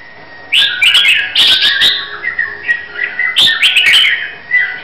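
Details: Competition-bound red-whiskered bulbul from Hue singing lively warbled phrases, rising and falling chirpy notes run together, then a steadier string of softer whistled notes before another bright burst.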